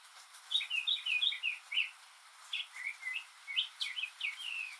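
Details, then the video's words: Lone male northern mockingbird singing cheerfully on a rainy day, mimicking other species: lively series of varied chirped and slurred notes in two bursts separated by a short gap, over soft hiss. "マネシツグミの「雨に唄えば」Mockingbird's "Singin' in the Rain"!"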